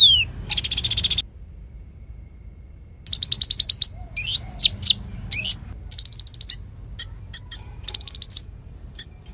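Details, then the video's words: Konin (Bar-winged Prinia) song, singing actively and used as tutor material for magpie-robins and competition birds: a high falling whistle, a harsh buzzy burst, then rapid high chip series and repeated trills separated by short pauses. "Masteran Konin Gqcor Nembak Full isian Buat Isian Buring kicau"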